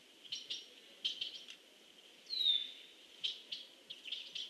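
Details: A titmouse in a tree eating seed, 2 November 2015, about 16:10: thin, high chips and short buzzy notes in scattered bursts, one brief falling whistle, over a steady high hiss.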